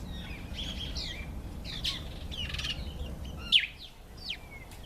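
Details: Karoo thrush (Turdus smithi) male displaying to impress females, giving a run of varied whistled and chirping phrases, some rising and falling, ending with a sharp downslurred note and a softer trailing whistle over low background noise.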